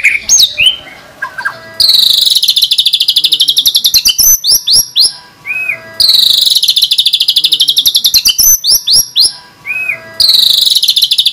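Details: Loud white-rumped shama song in 'tembakan' fashion: a few varied whistles, then long sustained bursts of rapid high trilled notes, each burst separated by short sweeping calls, repeating roughly every four seconds.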